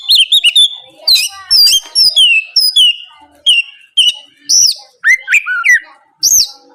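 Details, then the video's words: Morning song of an Oriental magpie-robin meant to make rival birds reply; rapid high whistles and descending slurs, then looping rising-falling whistled phrases. "PANCINGAN SUARA BURUNG KACER GACOR NGEPLONG PAGI DIJAMIN BIKIN LAWAN LANGSUNG IKUT NYAUT BUNYI GACOR"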